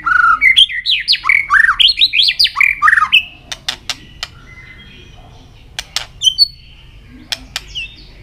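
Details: White-rumped shama in a singing contest, flicking its tail: loud rapid jumble of rising and falling whistled phrases for three seconds, then sharp clicks and sparse soft notes.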